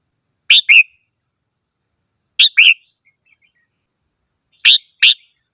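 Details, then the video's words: Red-whiskered bulbul song: three quick paired whistles, each pair a sharp note followed by a lower slurred one, spaced about two seconds apart, with faint soft twitters between. "chim chào mào hót - tiếng chim chào mào hót"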